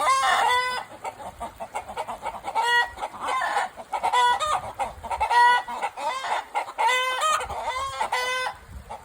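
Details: Chickens at Takumi no Yakata Mori no Suizokukan give repeated short, harmonic calls in bursts about every second, with several birds overlapping and brief quieter gaps between groups of notes.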